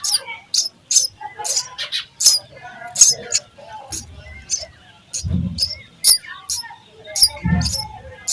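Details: Nestling sparrows fed by a parent bird call in a rapid series of piercing high chirps, with scattered softer twitters and a few low thumps.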